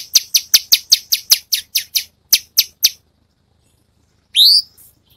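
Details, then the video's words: Cungkok bird singing for song training: a quick series of about twelve sharp, high, clipped notes that gradually slow and stop, then after a short silence a single loud, upward-sweeping whistle. "Masteran mewah burung cungkok"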